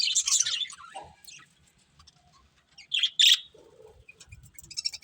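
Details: Pet budgerigars chirping: bursts of high, scratchy tweets at the start, a pause with faint clicks, then two loud sharp chirps near the third second and softer twittering after.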